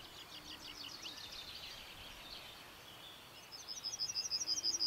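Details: Yellowhammer of the nominate subspecies singing in Escherange, France, in May 2012: a faint run of high, quick repeated notes, then a louder, rapid series of sharp high pulses close by, over a soft background hiss.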